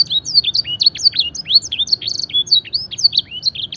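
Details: Training song from a fancy canary carrying blackthroat and edel sanger imitations: continuous bright, high warbling made of quick looping slurs and short trilled notes, steady and loud throughout.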